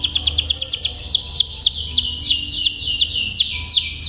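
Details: Training song of a canary for young canaries still learning to sing: a fast burst of descending notes slowing into evenly spaced, swooping downward whistles about three per second.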